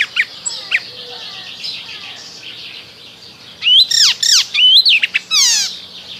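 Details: Spring song of an Icterine warbler: softer scattered high notes give way to a loud run of sharp descending chirps and twisting whistles, each phrase quickly repeated, over a soft chorus of other birds.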